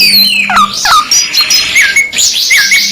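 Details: Canary song in a two-in-one training track: loud whistled notes with steep downward swoops and U-shaped slurs, then bright rising chirps repeated near the end, over a steady low electrical hum.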